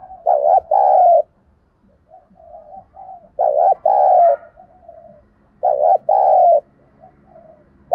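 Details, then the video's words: Spotted dove giving thúc gù cooing used to lure wild doves to a trap: low, husky two-part coos, a short note then a longer falling one, three phrases about every 2.5 seconds, with soft murmurs between. "Chim cu gáy thúc gù dùng kích bổi và tập mồi hiệu quả nhất"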